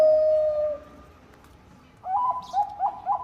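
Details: Zebra dove of the Bangkok type, a lively singer used to prompt other doves to sing: a steady mid-pitched whistled coo fading out, a quiet gap, then quick repeated bubbling coo notes.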